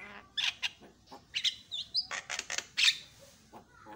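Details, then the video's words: Javan myna answering a lure sound, a previously silent bird becoming noisy within seconds. Scattered harsh chirps and squawks mix with brief high whistled notes in uneven bursts, fairly soft against faint background hiss. "HITUNGAN DETIK JALAK KEBO LANGSUNG BERISIK"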